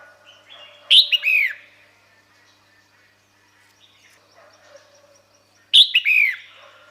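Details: Female red-whiskered bulbul calling to attract males: a loud burst of sharp whistled notes sliding down, quiet softer notes for several seconds, then a second identical burst near the end.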